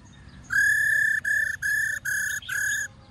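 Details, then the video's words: Laughingthrush with a many-voiced forest song for training young captive birds: five loud, level, ringing whistles of even pitch in quick succession over steady low background noise. "Khướu Hót GIỌNG RẤT HAY- NHIỀU GIỌNG.giọng rừng kích khướu bổi luyện khướu bổi hót căng lửa"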